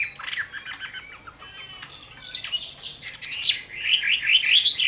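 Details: Chinese hwamei fighting song on a summer midday, starting with scattered, softer chirps and twittering fragments, then building to a run of bright, rapidly repeated rising whistles toward the close.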